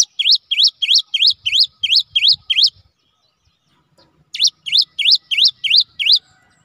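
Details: Caged cinereous tit (gelatik batu) singing in its ngerol style, meant to prompt reluctant tits to answer: two bursts of quick, looping whistled notes, each phrase of about nine evenly spaced V-shaped chirps separated by a short silence.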